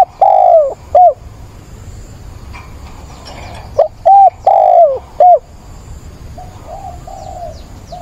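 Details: Decoy spotted dove cooing to call for a mate, recorded on 17 September: two low, mellow coo phrases, each with short notes around a longer falling middle coo, then softer distant coos.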